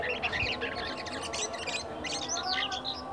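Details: Caged black-winged myna bought from a mixed lot at a bird market and kept about a week, still singing a rambling early song: dense, varied chattering and whistled notes, busy and continuous, with low background hum.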